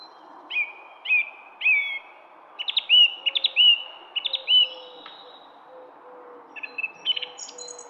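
A songbird sings clear, whistled phrases with sharp upslurred notes, repeated in short bursts over several seconds; a second, lower soft whistle is heard faintly behind.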